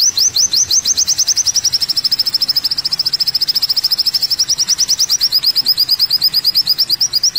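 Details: Olive-backed sunbird (kolibri wulung) on a masteran track: a long, unbroken trill of very high, thin rising notes, fast and slightly sibilant, holding a steady pace throughout.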